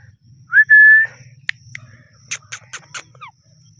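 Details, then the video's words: Ringneck parrot, a talking pet bird, gives a loud, clear whistled note that rises briefly and then holds steady for about half a second, followed by scattered clicks, soft taps and a few short descending chirps over a low hum. "ringneck talking parrot"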